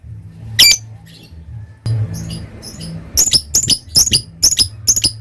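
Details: Lovebird delivering ngekek, a long chattering song valued by hobby keepers: a few scattered sharp squeaks, then a fast run of about eight shrill, rasping notes in the last two seconds over a low background hum.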